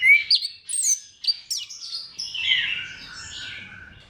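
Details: Crystal-clear orange-headed thrush lure song: several quick high whistles and sharp flicks, trailing into a softer, blurred warbling passage that fades toward the end.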